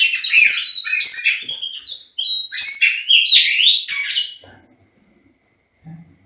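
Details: White-rumped shama contest master song: a rapid series of bright whistles and chattering phrases for about four seconds, then near silence with a faint soft sound at the end.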